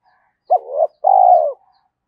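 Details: Spotted dove giving a single coo phrase to stir wild doves: a sharp hooked note swelling into a short tone, a brief gap, then a long steady hollow coo that fades slightly downward.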